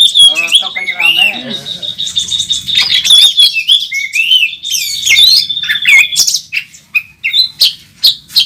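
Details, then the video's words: Competing Oriental magpie-robin at a bird contest, national first-place champion, with a full repertoire; rich whistled warbles and fast trills, loud chattering bursts, ending in sparser separate sharp notes. "Burung Kacer Tarung Ngobra ngotot saat di trek | kacer juara 1 nasional | Kacer gacor full isian"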